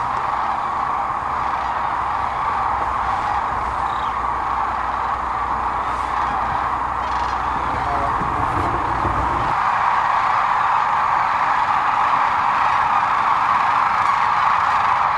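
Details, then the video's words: Huge flock of sandhill cranes on the Platte River, central Nebraska, in mid-March 2009 during spring migration stopover; an unbroken wall of overlapping trilling calls, swelling slightly louder in the second half, with faint background noise. "Sandhill Cranes in Nebraska March 2009"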